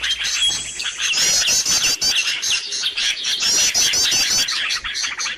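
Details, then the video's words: Lure recording of noisy birds to attract others: an unbroken wall of high chirps and buzzy trills from many birds, with quick rhythmic notes throughout. "SUARA PIKAT BURUNG RIBUT DIJAMIN BURUNG LANGSUNG DATANG"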